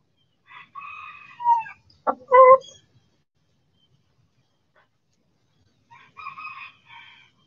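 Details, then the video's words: Backyard chickens in sunshine give drawn, nasal harmonic calls with a falling tail. Sharp short notes and a clipped squawk follow, then another drawn call after a pause. "Backyard Chickens In The Sun"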